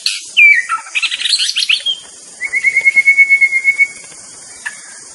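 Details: Wild white-rumped shama singing a swooping whistle, then a burst of scratchy chatter followed by a long, steady, buzzy trill, against continuous high-pitched insect noise.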